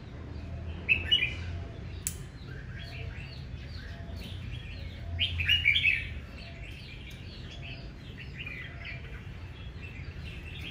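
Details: Red-whiskered bulbul giving aggressive fighting song in the morning: two bright bursts of quick chirping and slurred whistles, with scattered softer twitters between them over a steady low hum.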